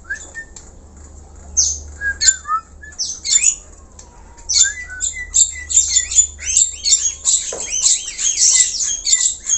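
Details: Black-collared starling singing hard: it starts sparse with a few whistles and squawks, then builds into rapid harsh notes with repeated wavy, yodel-like whistled loops near the end.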